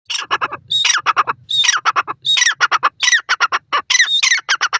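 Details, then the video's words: Francolin (dakhni teetar) giving loud, harsh squawking notes in quick bursts, many with sharply falling slurs, repeated almost without pause for about five seconds in a quiet setting. "dakhni teetar sound, teetar fun, teetar ki awaz"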